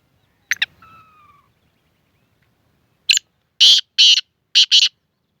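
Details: Black francolin (kala tetar) performing the dusri bolari call: a short thin whistle with falling tones first, then after a pause a series of loud, harsh, grating notes in quick succession.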